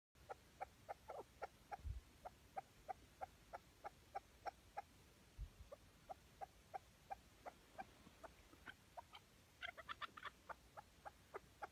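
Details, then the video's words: Tethered chukar partridge used as a decoy during a partridge hunt in Şırnak, Turkey: faint, evenly spaced sharp clucking notes about twice a second, with a few quicker clustered notes near the end, over low outdoor background rumble. "Bağlı Keklik avı Bağlı öttürüyor"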